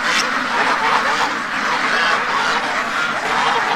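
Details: Spooked domestic ducks, a free-range flock near Toronto, Canada, clamouring one morning after leaving one part of their pen; loud, hoarse quacks pile over each other in a constant, busy din.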